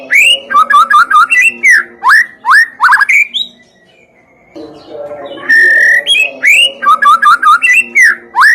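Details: White-rumped shama singing, used as a lure to start other shamas singing: bursts of quick chattering notes between clear slurred whistles, a brief near-silent gap, then the whistled, chattering phrases return.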